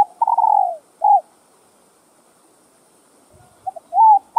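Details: Spotted dove giving the urging and calling coos used to rouse kept doves: a long coo drooping at the end and a short hoot, a two-second pause, then clipped notes leading into a rising coo.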